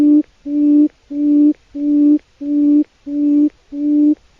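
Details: Quail call played as a lure for trapping: a low, steady hooting note, each about half a second long, repeated in an even rhythm roughly every two-thirds of a second, seven times in a row, with no other sounds.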